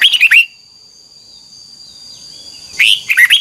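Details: Red-whiskered bulbul practicing its double-note song: a fragment of fast whistled notes opens, then a long thin steady tone runs through the gap before another quick whistled burst closes.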